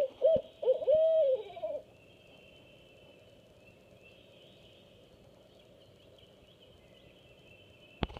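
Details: Hooting exchange between a pair of barred owls, female nesting with two-week-old owlets, male out hunting: a few short hoots, then a longer drawn-out wavering hoot that slurs down, followed by several seconds of near silence with faint background hum.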